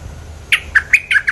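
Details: Lure recording of a bulbul, five sharp chirped notes in fast succession, each a clipped, slightly sliding whistle, close and loud against faint background hum.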